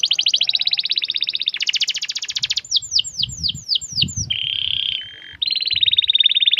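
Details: Chatty canary singing a long rolling song: fast high trills, a run of descending swooping notes, then a pure steady whistle and another rapid trill, all loud and close.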